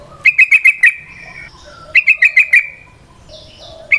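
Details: Wild yellow-vented bulbul (trucukan) giving a long rapid 'ropel panjang' chatter used as a lure: two bursts of five or six bright, sharp chirps, each burst trailing into a steady tone, with a faint background hum.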